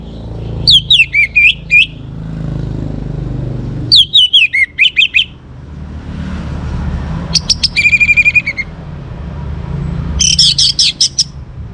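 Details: Young orange-headed thrush in northern Bali pours out four bursts of varied song: tumbling descending whistles, a fast mimicked rattle-like trill, and a jumbled high chatter, with low background rumble.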